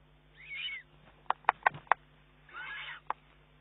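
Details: Juvenile Eurasian eagle-owl begging from its mother, 19 June 2011. Two soft wheezy screeches frame a quick series of four sharp clicks or snaps, over a low hum.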